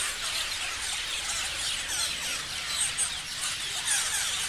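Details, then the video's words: Parrots chirping en masse, with shrill chattering and brief squeaky notes piling over one another in an unbroken, busy chorus. "Parrots chirping sounds"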